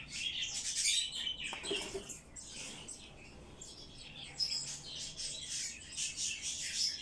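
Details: Chick being hand-fed begs with loud, broadband hissing cheeps in rapid irregular bursts, some with brief high squeaky tones.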